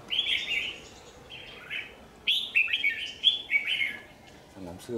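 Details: Lure Red-whiskered bulbul at a trap on 27 January 2019 gives sets of bright, slurred warbled phrases separated by short pauses, followed by a faint rasping sound at the close.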